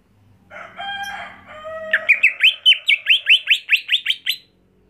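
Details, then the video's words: Greater green leafbird kept at home for contests: steady tonal notes open, then a rapid, even series of about a dozen sharp, rising chirps that climb slightly in pitch. "Membuat Cucak Hijau Mental Rumahan Jadi Garang Di Gantangan"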